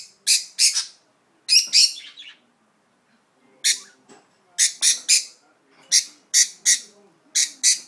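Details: Pet budgerigar, placed somewhere unfamiliar and feeling uneasy, gives harsh, scratchy chirps in quick pairs and short bursts with brief pauses between them. A quiet room hum sits underneath.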